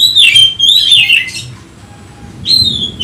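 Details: Oriental magpie-robin, agitated as if hunting a rival: loud wavering whistled phrases, a pause, then a sharp whistled note resuming.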